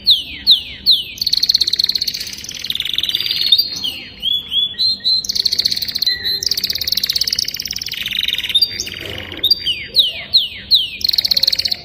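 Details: Young canary singing a long continuous song: rapid trills and chattering runs alternating with series of sharp descending whistled notes, high-pitched throughout, energy almost entirely in the upper range, with no other clear sounds.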